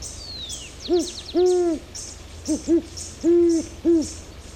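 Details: Great horned owl (Bubo virginianus) recorded in Ecuador: deep, soft hoots in a rhythmic series, short notes mixed with longer drawn-out ones, while faint high chirps and a thin descending whistle sound above.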